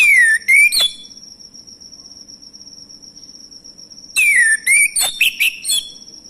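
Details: Male orange-headed thrush singing as a lure to prompt other birds to sing: two bursts of clear, slurred whistled phrases, sweeping down and then up, separated by a pause of about three seconds, over a steady high insect-like tone.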